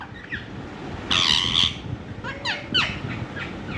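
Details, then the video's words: A talking ringneck (rose-ringed parakeet) gives a harsh, rasping half-second squawk, then a few quick falling, voice-like notes over a steady low rumble of traffic. "Ringneck talking parrot"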